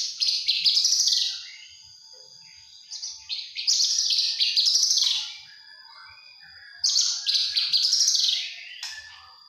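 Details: Juvenile Javan bush lark repeating three loud bursts of fast, high, jumbled trilling, each about two seconds long and separated by quiet gaps of roughly three seconds.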